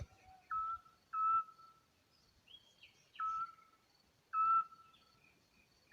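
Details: Duetting pair of Eurasian Scops Owls in the Algarve, taped on a phone from directly below their tree. Pure, steady whistles repeat about every second or two, alternating louder and softer voices. Thin, higher whistles sound faintly between them.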